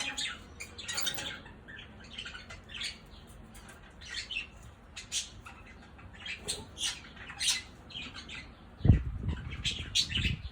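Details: Budgerigars give scratchy, chattering squawks and chirps in quick irregular bursts.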